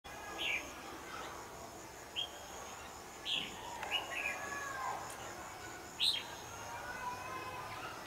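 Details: Red-whiskered bulbul giving fighting song toward a decoy during trapping, recorded 12 January 2016; short bright chirped notes come in scattered bursts about one to two seconds apart over a steady background hiss.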